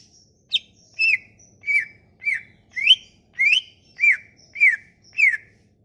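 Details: Sumatran leafbird song used as a lure to get leafbirds that have stopped singing to sing again: a steady series of clear, down-slurred whistled notes repeated roughly every two-thirds of a second, each with a brief high tick before it.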